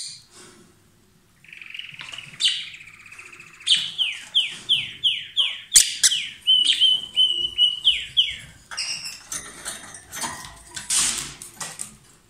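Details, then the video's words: Pair of lovebirds in loud song: a rapid run of about fifteen sharp, downward-sweeping whistled chirps, roughly two per second, over a continuous squeaky chatter, ending in harsher noisy bursts. "Gli inseparabili | 20minutes Love birds Sound"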